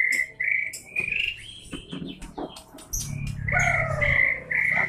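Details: Clear, steady whistled notes from a white-rumped shama, repeated in short bursts with brief rapid trills and clicks between them, over a low rumbling background.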